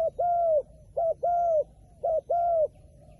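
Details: Wild pigeon giving three evenly spaced pairs of coos, each a short clipped note followed by a longer smooth note that drops slightly at the end, roughly once a second.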